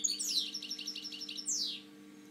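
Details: Short stretch of European goldfinch song from a caged breeding bird: a steep falling slur, a run of quick repeated twittering notes, then another descending sweep, over a faint continuous hum.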